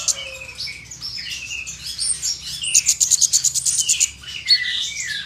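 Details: In a high, restless song, an Oriental magpie-robin delivers imitated phrases meant to provoke rival magpie-robins. Descending whistles and twittery phrases lead into a quick burst of sharp repeated chips, then more sliding whistled notes.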